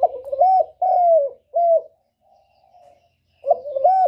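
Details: Spotted dove call used as a trapping lure: three loud, mellow coos in quick succession, each bending up then sliding down, a faint soft coo after a pause, then a new phrase starting near the end.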